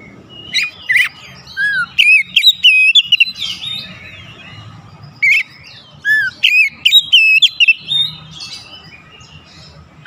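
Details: Oriental magpie-robin song used to provoke excitement: two bursts of loud, varied whistles with quick slides and sharp ticks, separated by quieter stretches of soft chatter over a low background hum.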